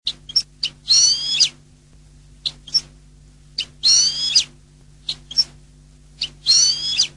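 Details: European goldfinch repeating a short phrase about every three seconds. Each phrase has sharp single chirps leading into a brief, twittering buzzy trill, with a faint steady low hum behind.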